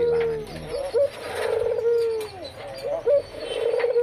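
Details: Captive white Barbary dove, a breeding male with its female beside it, sings soft, low cooing notes, each swelling and falling, repeated roughly every second, with faint chirps from other birds behind.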